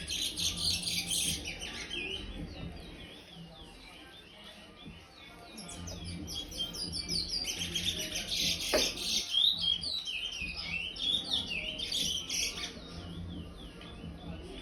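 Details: Five-month-old chestnut-bellied seed finch, a brown youngster housed in an aviary, delivers praia-style song: loud bursts of rapid wavering whistles and chirps, with a softer pause midway before the phrases resume more strongly.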